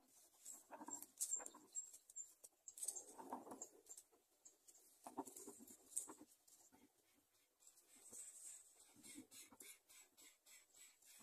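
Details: Greater coucal chicks snapping at food their mother brings make rough, raspy bursts and low grunting hisses in uneven clusters, with scratchy rustling between.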